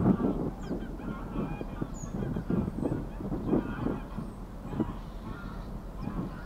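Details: A mother greylag goose swimming with her goslings at Getterön on 20 April 2022 gives low, nasal honks and softer gabbling notes, repeated roughly every second, with a faint high chirp or two in the background.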